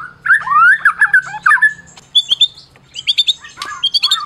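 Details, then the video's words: White-rumped shama of the Medan type, a champion used to provoke other shamas into singing. Twisting warbled whistles, then a pause and series of short bright chirps at a higher pitch. "Masteran Murai Batu Medan Berprestasi !! Murai juara,, cocok pancing murai lain yg bisu"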